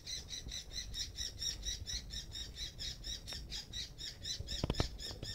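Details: Chick of an oriental magpie-robin calling its mother to be fed: rasping squawks repeated about twice a second over a low rumbling background, with several sharp clicks and knocks toward the end.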